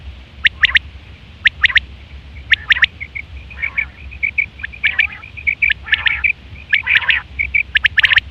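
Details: Quail, September 2023, giving its common hunting and mating call: crisp three-note phrases at a steady pace, then a denser run of short buzzy chirps and rasping notes, with faint low hum.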